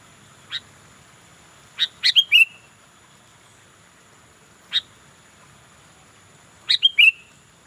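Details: Sooty-headed bulbul giving scattered single chirps and two short bursts of two or three quick notes that end in a falling whistle, with long quiet pauses between.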